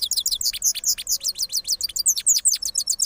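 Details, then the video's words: Rolling song of a cross goldfinch after its moult, an unbroken run of quick, high, tinkling chirps repeated several times per second with shifting note shapes throughout. "Cross Gold Finch Part 3 After Moulting Rolling Songs"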